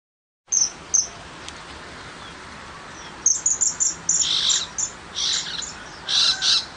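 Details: Tiger shrike in the countryside giving a few thin, high notes, then a burst of short, harsh, scratchy calls in quick succession, some in pairs, with a light background hiss.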